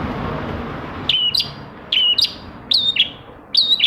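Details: Long-tailed shrike song used as a trigger for reluctant shrikes: after a soft noisy start, four sharp two-part notes, each a high click and a falling whistle, come about every 0.8 seconds.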